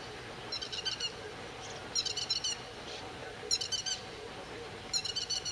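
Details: Grey-headed lapwing defending its territory against an intruding grey heron and ducks, making low diving attacks, 31 May 2011 at 08:20. Four bursts of rapid, sharp, ringing notes, roughly one burst per second and a half, over a steady background hum.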